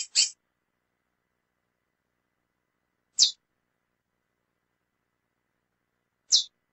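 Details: Calling female lesser seed finch, a short, piercing, high chip repeated roughly every three seconds against silence.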